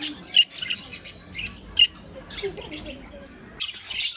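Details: Budgerigar colony giving quick, piercing chirps and scratchy squawks over a constant chattering background, with a brief lull before a burst of loud calls near the end.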